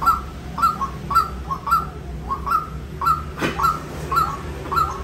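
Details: White-breasted waterhen giving a run of about nine abrupt, nasal notes at an even pace of nearly two per second, with a faint low hum beneath and one brief click midway.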